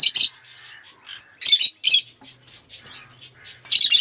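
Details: Aviary lovebirds, a collection of mutations like Cinemon Opaline and Blue Aqua Rosy, utter sharp, buzzy screeches at the start, middle and end, with thin twittering notes between the loud bursts.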